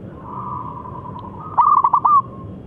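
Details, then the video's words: Local zebra dove, big-voiced, singing as bait to draw a rival's answer: a faint, drawn-out tone gives way to a loud burst of rapid clipped coo pulses ending in a brief rolling note. "Perkutut Lokal Gacor Suara Besar Pancingan Paten Bikin Nyaut Lawan"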